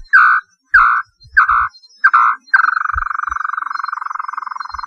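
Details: Small-billed tinamou, a common bird of the Brazilian cerrado, north and northeast: a few separate, mellow whistled notes, then a long, fast, even trill at the same middle pitch.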